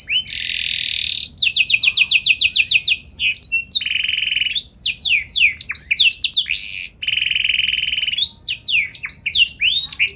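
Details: Canary in prolific song with ornate phrasing to make other canaries answer; a buzzy roll and a rapid pulsed trill, then swooping whistles alternating with steady lower rolled trills.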